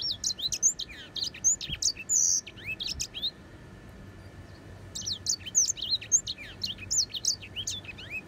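A grey singing finch sings two bursts of quick, high, varied chirps and sweet warbled notes, separated by a short pause, over a faint steady hum.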